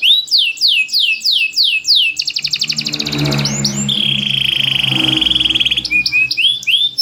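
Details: Loud champion canary kept in a cage, singing with tight phrasing to encourage lazy birds: descending whistled sweeps, a fast buzzy trill, a sustained high rolling note, then more sweeps, with some low background noise.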